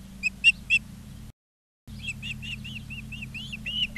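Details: Ospreys at a nest in Charlo, Montana, recorded by a live nest camera on 20 August 2023 at 16:04; three sharp whistled chirps, a brief dropout, then a rapid run of about a dozen slurred whistles over a low steady hum.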